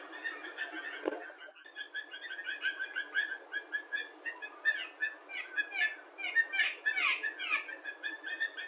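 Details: On a September 2 morning, a small flock of Blue Jays in spruce trees, some possibly juveniles, call at once with a busy run of strange, harsh, squeaky and whistled notes that rise and fall, over a low steady background hiss.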